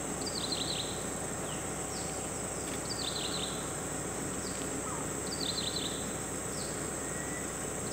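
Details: Whiskered treeswift (Hemiprocne comata) giving short, high, descending notes in quick clusters every couple of seconds, over a steady high insect drone and broad background hiss.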